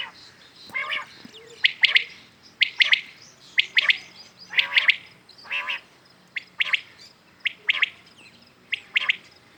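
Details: In the morning, common quails keep up a steady series of sharp, high three-note calls, nearly once per second. A few softer, lower notes slip in between the phrases.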